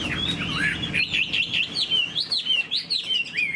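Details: Chinese hwamei in a cage, tail fanned and wings moving, sings a fast run of bright whistled notes in wavering up-and-down loops, repeated quickly at about two and a half per second.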